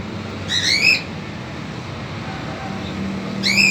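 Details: Cockatiel family with chicks at the cage, father doing the feeding; a rough rising screech, a long pause with faint background noise, then another harsh call starting at the end.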